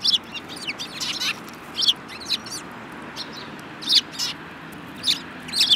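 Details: Sparrows, among them a yellow-beaked bird, 24 February 2018: clustered high, twittering chirps in short bursts roughly every second, fairly loud and close against a quiet background.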